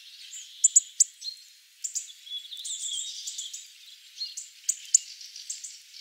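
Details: Several hawfinches in Ivanovo, Russia, giving sharp, high clicking tsik notes in scattered bursts, mixed with soft, high twittering between the louder ticks.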